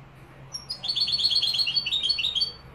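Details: Dove used as a decoy for trapping, cooing: two low, mellow hooting phrases, the first wavering and the second a flat, slightly falling coo, each under half a second long.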